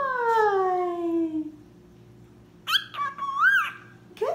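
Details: Male cockatiel making up his own song: a long falling whistled note, then a burst of warbling, wavering phrases.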